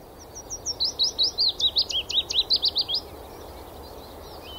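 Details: In a dawn chorus in Wales, amid grassland, gorse, hills and marshland, a male Willow Warbler sings from a high perch to mark territory: one sweet phrase of about fifteen quick, clear notes falling steadily in pitch, over a low rumble.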